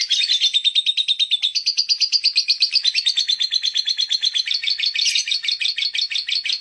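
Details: Ngekek song of a lovebird, an energetic chattering trill of fast, rasping notes, roughly three per second. It holds high and steady throughout, with slight shifts in pitch, and is meant as tutor material for other birds.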